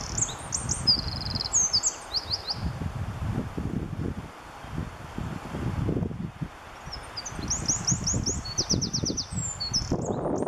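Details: A singing male Eurasian wren in the Oliwa Forest, Poland, gives two bursts of very high, rapid trills and chattering notes over a steady low rumble of wind and rustling leaves.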